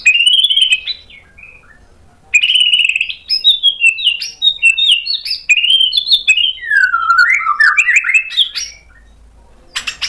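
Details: Goaded into loud song, a white-rumped shama runs through its mimicked repertoire: rich warbles, a pause, then a long rapid stream of varied chirps, twittering notes and swooping whistles.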